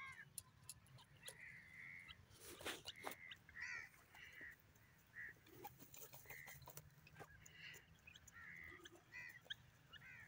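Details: Grey francolin, a kept local bird, calling in a steady series of short whistled notes repeated roughly every half second, with loud knocking clatter around the third second and a low hum beneath.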